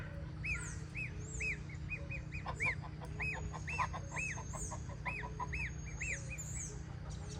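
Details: Goose chick utters arched peeps among shorter clucking notes. High swooping chirps from other birds and a constant low drone fill the background.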